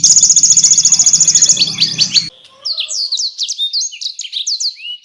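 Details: Canary tutor song for training contest songbirds such as magpie robins, with konin and blackthroat bursts: a loud harsh rattling trill for two seconds, then a rapid series of high looping, sliding chirps.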